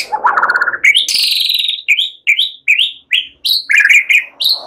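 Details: A white-rumped shama sings a relaxed, rich, varied phrase that imitates cililin and ciblek: a low warbled opening, then a long high buzzy note and a quick run of sharp, rising whistled notes. The song is suited for use as a lure (pancingan).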